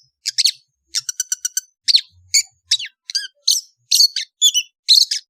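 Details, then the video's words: Indonesian long-tailed bird singing on an afternoon: sharp, high chattering notes, some in rapid bursts of four or five, others single shrill squeaks, delivered at an uneven pace with short pauses. "THE SOUND OF INDONESIAN LONG TAILED BIRDS"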